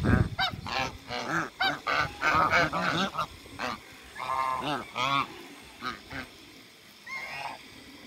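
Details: African geese honking on a farm while meeting Muscovy ducks, with bursts of busy overlapping nasal calls that thin out into scattered single honks.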